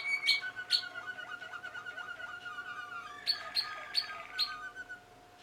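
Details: Malinois Waterslager canary song from young 2016 birds. Sharp ringing accents open and close the phrase, with soft, warbling water-like whistles in between and a faint background hum.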